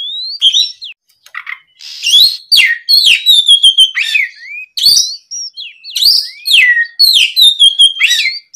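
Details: Oriental magpie-robin in vigorous afternoon song to coax other birds to answer: lower whistles early, then rapid bright slurred notes, chips and rising whistles in bursty phrases.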